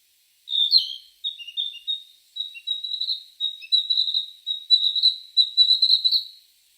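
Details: A high-pitched, lively twitter of short, slurred chirps runs almost continuously for six seconds, each note sharp and bright, with some notes rising and falling, from an unidentified bird against a clean, quiet background.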